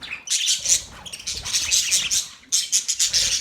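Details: Budgies chirp steadily, giving rapid high, scratchy twitters and short squawks that run almost without a break, with a brief gap near the middle.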